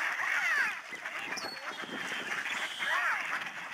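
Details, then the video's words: A big flock of snow geese flying overhead at a migratory bird sanctuary in Delta, BC, Canada, March 2011. Two louder arched nasal honks frame a busy murmur of distant flock calling. "Snow geese flying and honking"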